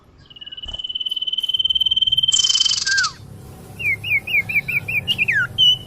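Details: Common iora lure call used to attract birds: a long, even, high trill lasting over two seconds, a falling slur, then a series of short, looping whistled notes.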